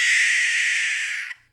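A Barn Owl gives a single drawn-out, harsh, hissing scream lasting over a second, rough and breathy across a wide pitch range, then cuts off abruptly.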